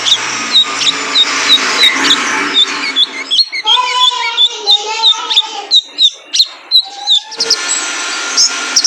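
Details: Male kolibri ninja in a cage-bird training recording: high sharp chirps, then a run of lower, wavering chattering phrases stacked in bands, followed by more thin, high twitters.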